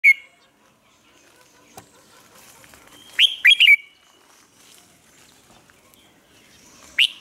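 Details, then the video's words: Red-whiskered bulbul lure bird from Vietnam, singing to train caged bulbuls and stir newly caught birds into song: one short burst of three or four rapid, bright, warbled notes mid-clip, with brief chirps at start and end in a quiet setting. "chào mào mồi luyện giọng hót hay,giúp chào mào hót căng lửa chào mào mồi"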